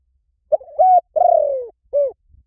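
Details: Spotted dove lure call used to draw in wild doves: low, soft cooing notes, a short coo, a longer rolling coo that falls in pitch, then a final coo, in a quiet setting.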